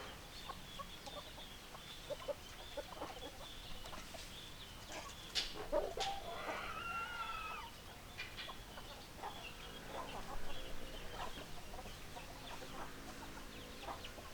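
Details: Chickens, hens and roosters: low irregular clucking throughout, with a drawn-out crow rising midway, over steady background noise.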